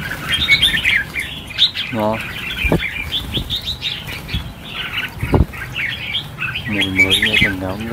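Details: Red-whiskered bulbuls, 1000 of them set free at New Year, keep up a busy chorus of chirps and warbles while a human voice and a few knocks are heard.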